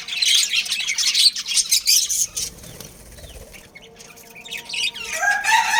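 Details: Budgerigars of a pet breeding pair give scratchy high chirps for about two seconds, then a quieter stretch with soft wing flutters, before the chirping chatter resumes at the end.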